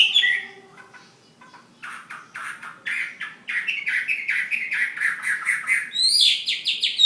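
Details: Fighting Chinese hwamei from Ha Giang. After a few whistled notes and a quiet pause, it delivers a string of harsh, buzzy repeated notes that build in loudness, then ends on bright high whistles.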